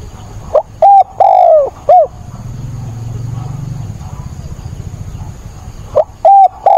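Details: Caged decoy spotted dove cooing in a 28 October rainstorm to stir up wild doves. One hollow three-note phrase, then a low rumbling pause, then another phrase begins near the end.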